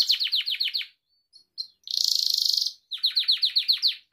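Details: Gloster canary singing for pet canary training, with a run of quick falling notes, a brief pause, a sustained buzzy rolled trill, then more rapid downward sweeps.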